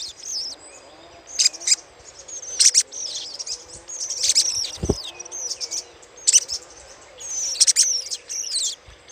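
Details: Chattering little spiderhunter lure recording: bursts of high, fast twittering with sweeping chirps that rise and fall, repeated roughly every second or two, over a thin constant hiss and one dull low knock.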